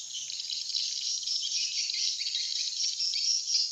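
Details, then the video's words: Swiftlet lure call of the 'serangan udara' (air attack) style, played to attract swiftlets: dense, continuous high twittering chatter with no pauses, steady loudness throughout. "Suara panggil burung walet serangan udara"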